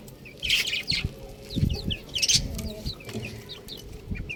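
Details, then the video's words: Baby chickens, buff chicks, chirping together: many quick descending high peeps overlapping, with loud bursts, some low thumps and soft clucking underneath. "Adorable Chicks Sound | Beautiful Chicks Chirping Sound"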